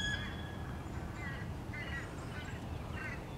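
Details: American crows mobbing a male bald eagle as he returns to his nest, 30 March 2016; a series of faint, hoarse caws spaced roughly every half second, with a steady low background rumble.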